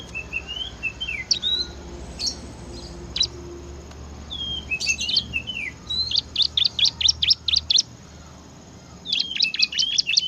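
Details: Bar-winged prinia singing ngebren style: soft wavering whistles lead into rapid strings of sharp, high, repeated chirps with brief gaps between bursts.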